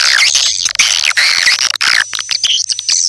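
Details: Loud swiftlet call track for drawing swiftlets in: thick, overlapping high twitters and trilling chirps, with a steady high whine and scattered clicking.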